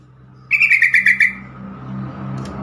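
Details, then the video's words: Yellow-vented bulbul call for getting other bulbuls to answer and stressed birds to sing again: a single loud bubbly burst of about seven rapid notes, over a steady low hum. "trucukan call"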